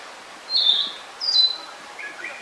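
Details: Narcissus flycatcher on Mount Rokko in Japan, giving two short bright whistled phrases about half a second apart, then softer lower notes trailing off, against quiet background hiss.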